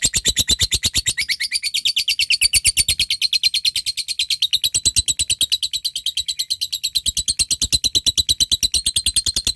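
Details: Lovebird calling a rival with the long ngekek chatter, used to lure other lovebirds into singing. An unbroken stream of shrill, metallic notes repeats about three times a second, steady and piercing for the whole stretch.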